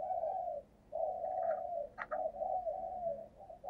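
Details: Spotted dove decoy bird giving its thúc gù cooing style, used to lure wild doves: long low hoarse coos in a steady series with brief pauses, a few faint higher chirps from other birds behind.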